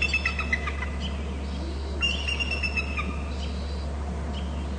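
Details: Bald eagles at a nest and territory on Hornby Island, both birds moving and calling. High, thin chirping notes are heard, partly masked by a steady low electrical hum.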